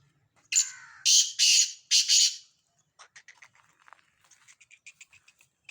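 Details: Black francolin in Sindh, Pakistan: four loud, harsh, grating notes in quick succession, followed by a scatter of faint clicking and chipping sounds.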